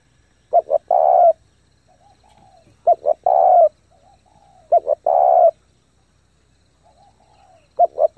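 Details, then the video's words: Fast, driving coos from a lure spotted dove meant to excite and train wild-caught birds. Each phrase is two quick short notes and then a sustained mellow coo, repeated four times at roughly two-second intervals, with faint softer notes between. "chim cu gáy thúc gù tốc độ căng lửa kích mồi tập bổi cực mạnh"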